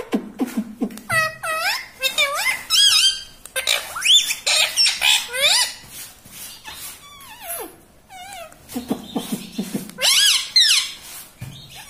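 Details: Pet parrot mimicking words such as "papa" and "mummy": a near-continuous run of loud, harmonic, speech-like syllables with swooping pitch bends and squeaky rising notes, indoors.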